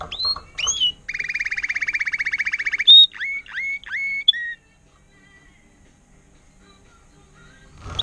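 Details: Trained Timbrado canary, agate topaz intense yellow, 2018 recording: a few sharp whistled notes lead into a rapid even rattle. A run of short upward-curving whistles follows, then quiet.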